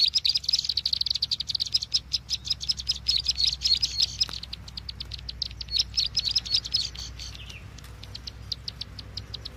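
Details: Bar-winged prinia lure call for trapping: dense bursts of high chattering chips in the first half, then scattered sharper notes and a quieter, thinning ending with low background rumble.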